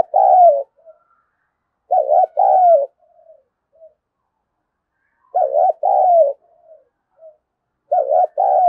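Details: Spotted dove giving its challenge coo meant to spur competition: four loud low phrases, each a quick double wavering note and a longer sliding note, spaced about three seconds apart with soft trailing murmurs between.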